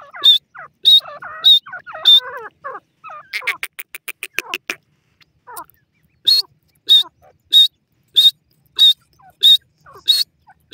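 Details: Grey francolin, known locally as dakhni teetar, calling: after a stretch of mixed chattering notes and a quick buzzy rattle, a run of loud, sharp, high ringing notes repeats steadily about every half second to the end.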